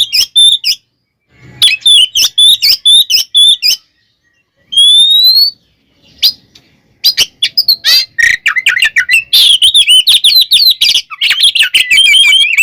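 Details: Oriental magpie-robin in full fighting song meant to agitate rival birds: rapid repeated chirps, a rising whistled slur, then a dense stream of harsh rattling notes and varied twittering.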